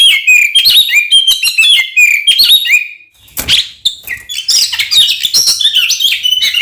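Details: Oriental magpie-robin singing loud, varied fighting song meant to anger rival magpie-robins; fast whistled phrases, sweeping slurs and harsh chatter, with a brief noisy burst midway.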